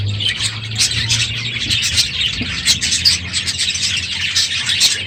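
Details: Morning chorus from a full aviary of budgerigars as the breeding season ends; steady high twittering and chirps from many birds, with a low hum underneath.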